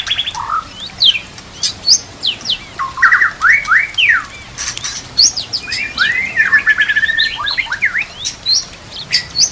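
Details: White-rumped shama song for training other birds, with kapas tembak and canary phrases: high thin swept notes mixed with rising slurred whistles and a rolling series of arched notes, lively and varied.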